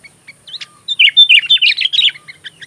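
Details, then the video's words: Sooty-headed bulbul singing a dense, lively run of bubbly, slurred whistles after a few soft introductory chirps, the notes tumbling up and down without pause. Recording meant as song tutoring for magpie robins; faint steady high whine in background. "suara kutilang isian Kacer"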